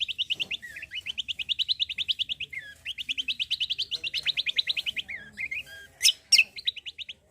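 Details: Cucak kombo in full gacor tembakan song. Long, fast, rhythmic trills of high chattering notes run nearly unbroken, with brief lower slurred notes between runs and two loud sharp calls near the end.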